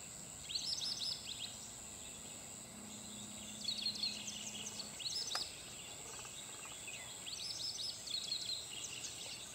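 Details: White-browed Wagtail singing atop a roof at a sports club in Ponnampet, Karnataka, India, October 2011: three short bursts of high, sweet, twittering whistles about every three seconds over a steady shrill insect-like whine and faint low hum.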